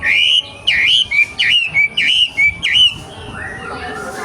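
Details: Young wild racket-tailed treepie repeating about six loud, hooked whistles at roughly half-second intervals, then falling quiet apart from faint background hum.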